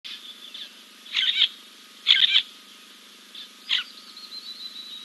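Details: Giant kingfisher preening after a dip at King's Camp, 2 April 2024, on a live camera: three loud, harsh, rasping bursts about a second apart, with fainter notes between, over a steady high-pitched whine.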